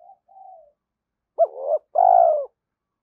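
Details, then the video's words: Spotted dove calling to stimulate other doves: two soft murmured notes, then a louder phrase of a short rising coo and a long husky falling coo. "tiếng cu gáy kích bổi mỗi ngày"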